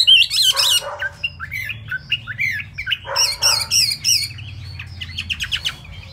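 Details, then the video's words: Wet-feathered kept Chinese hwamei in rapid song, mixing ringing whistles with harsh buzzy bursts and fast chattered notes, several per second, fading softer toward the end. "Họa Mi tuyệt vời với tốc độ mỏ khi lông lá còn chưa khô"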